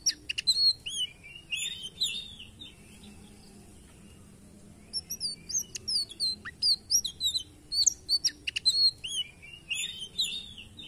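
An indigo flycatcher sings a high, tinkling jumble of quick chirps and slurred whistles.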